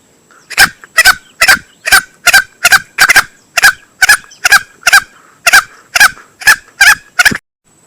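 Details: Green junglefowl male, recorded as a hunting lure: a fast series of clipped, harsh calls, about two per second, some paired, starting after a brief pause.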